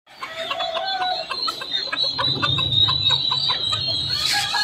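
Silkie chicks peep in a constant high chorus, several thin notes every second overlapping, over a low background rumble.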